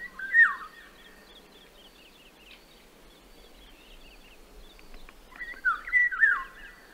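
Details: Eurasian Golden Oriole in Central Russia: two short, rich fluting whistled phrases that dip and rise in a yodelling way, one at the start and one near the end, with faint thin chirps from other birds in the quiet between.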